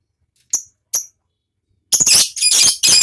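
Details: Ngekek-style lovebird song, a lure recording for stimulating lovebirds: two short piercing chirps, a pause, then loud rasping chatter in rapid bursts running to the end.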